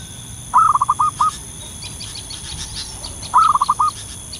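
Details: Wild local zebra dove singing actively in the wild: two cooing phrases about three seconds apart, each a drawn-out first coo followed by a quick run of short rolling notes. Faint high chirps from other birds sound in the background.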